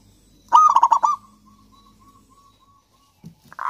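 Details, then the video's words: Energetic local Javanese zebra dove song, a lure for doves that sing little: one loud phrase of fast, clipped coos that trails into a faint drawn-out purr, followed by brief knocks and a short noisy rustle at the end. "perkutut lokal gacor kutut lokal gacor ampuh untuk pancingan kutut malas bunyi dan macet"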